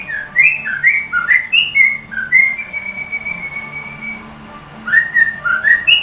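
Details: Sooty-headed bulbul imitating white-rumped shama song, a run of quick varied whistled phrases, then a long steady whistle, a pause, and more bright rising whistles.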